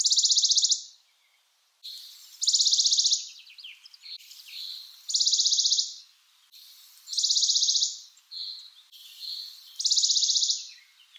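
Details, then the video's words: Western Bonelli's warbler trilling five times in about eleven seconds, each burst a quick uniform rattle of high notes, with faint background chirps in the gaps. "Western Bonelli's Warbler Bird Sound, Bird Calling"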